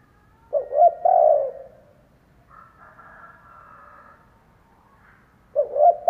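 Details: Spotted dove decoy bird cooing to lure wild doves: a low three-part coo, two short notes then a longer drawn-out note, heard once fully and starting again at the end, with a faint higher tone between.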